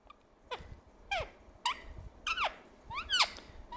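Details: Pet talking parrot calling for mummy: six short, squeaky notes that slide steeply downward, spaced roughly every half second, with a quiet indoor background.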